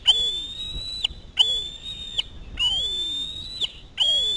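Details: Begging Osprey chick at the nest during a fish delivery: four long, level, piercing whistled screams with harsh edges, with faint background rumble.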